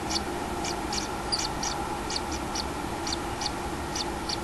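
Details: At a common kingfisher nest holding a chick, recorded 6 July 2016, sharp high chips sound every half second or so, sometimes in pairs, above a constant humming drone.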